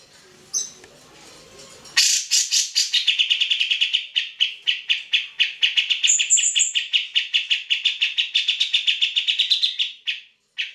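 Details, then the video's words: Grey-cheeked bulbul in full vigorous song, recorded as training material for other songbirds: after a quiet start, a long, dense stream of rapid chattering notes, with a brief high whistle midway, tapering off near the end. "Cak Jenggot Gacor"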